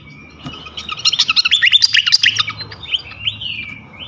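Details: Flycatcher lure song for provoking other flycatchers: a fast stream of sharp high chirps and trills, easing into slower whistled slurs and a long descending glide at the end.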